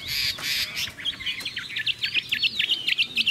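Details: Chinese hwamei singing: harsh, broad notes at first, then a quick series of clear, sharply dipping whistles repeated about three or four times a second.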